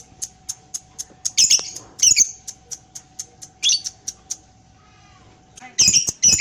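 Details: Lovebird of the paud type giving a long ngekek chatter while its tail moves: a run of sharp, high chirps about four per second, then louder, denser chattering bursts, over a faint steady hum.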